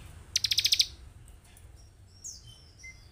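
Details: Bar-winged prinia lure recording meant to stir caged birds into quick agitated singing: a single brief burst of about eight rapid, high, ticking notes, followed by quiet, faint whistled traces.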